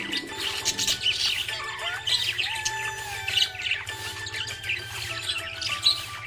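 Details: A happy budgerigar keeps up soft, continuous warbling and twittering with occasional brighter chirps, accompanied by steady background music and a low pulsing hum.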